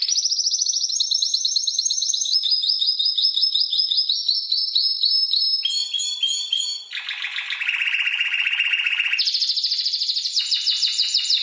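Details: Spanish timbrado canary tutor song for other birds to learn. Steady rolling trills step gradually lower, drop into a deep, buzzy roll, then jump back to higher trills.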